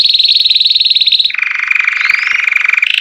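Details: A white Belgian canary after its moult sings a fast, ringing trill near 4k, then drops into a lower, rolling trill with a quick rising whistle overhead.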